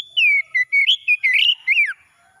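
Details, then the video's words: An oriental magpie-robin gives a morning song for stressed birds that have stopped singing. It begins with a sustained whistle, then moves into choppy slurred notes and ends on a descending whistle. "KACER PAGI PEMULIH KACER SETRES MACET BUNYI LANGSUNG CEPAT GACOR"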